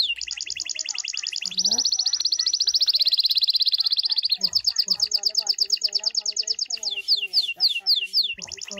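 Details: Pet goldfinch, fully hand tame, delivering long rapid trills, one smooth and buzzy, then a clipped rattling series, followed by several sharp descending tinkling notes and a brief return to trilling.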